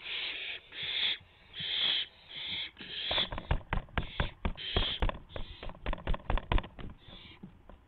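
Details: Owl at the nest around midnight in April 2016 while a mouse is delivered: several rough hissing screeches in the first three seconds, then a flurry of loud knocks and scuffling thumps mixed with shorter hisses.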